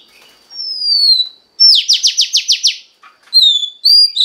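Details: Oriental magpie-robin female voice meant to stimulate the male: a long descending whistle, a quick run of about six harsh, buzzy downsweeps, then bright slurred whistles that dip and rise.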